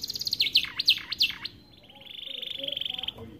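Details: Starblue canary singing a song for tutoring young canaries: several loud swooping chirps dropping and rising, a short pause, then a soft rapid high trill.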